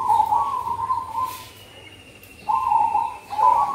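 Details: Zebra dove singing for luring in cold season: a long purring trilled coo, a pause, then two shorter vibrating coos, all at one even pitch over a quiet background.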